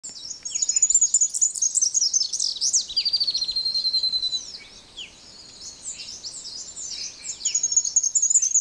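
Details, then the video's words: Splendid fairywren singing in the very early morning near Cape Naturaliste: high, thin, rapid reeling trills and sweeping chatter, with a fast run of repeated notes midway, a brief lull, then trills resume. "Splendid Fairy Wren singing"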